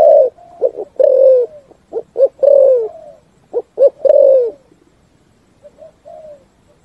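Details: Spotted dove with its full 'thúc gù' style song echoing in forest: clipped low notes leading into sustained, slightly falling coos, two phrases delivered loudly, then a pause with a faint distant cooing at the end.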